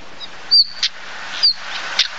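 A common stonechat gives two thin, high whistles, each followed by a hard, stony tak like pebbles knocked together.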